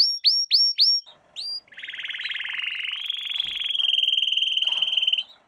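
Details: Canary singing a training phrase for young canaries: four quick sharp rising-falling notes, a pause and one more note, then a long, even, rapid buzzy trill.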